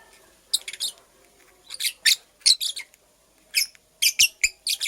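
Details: A purple lovebird female, nest-building, lets out clusters of rapid rasping chirps, two or three at a time, separated by brief quiet gaps with faint rustling.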